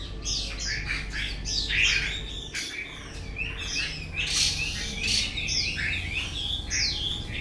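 A Chinese hwamei sings a loud, varied run of rich whistles, slurred phrases and harsh notes with hardly a pause, over a low steady hum.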